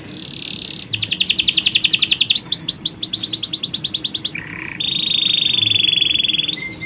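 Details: Male and female canaries in a colony, females calling out to males; a fast rolling trill, a buzzy low burst, then a long steady high-pitched whistle.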